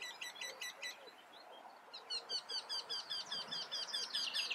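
Eurasian wryneck giving a quick series of repeated, nasal, slightly whining notes.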